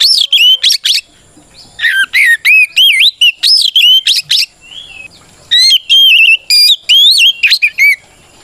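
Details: Male-style provoking song of a White-rumped shama, used to stir rival shamas into answering: loud, varied whistled phrases with sweeping, rising and falling notes and sharp chips, delivered in bursts separated by short pauses.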